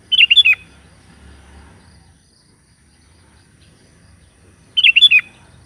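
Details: Sooty-headed bulbul calling companions, two matching bubbly phrases of slurred whistled notes about five seconds apart, separated by a low murmur of background noise.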